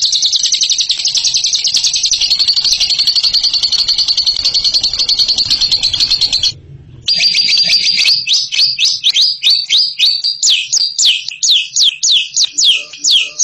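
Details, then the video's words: Extended ngekek trill from a bird: a fast, continuous high chatter for six seconds, a brief silence, then the trill resumes and breaks into separate sharp swooping chirps. "INI DIA JAGONYA NGEKEK"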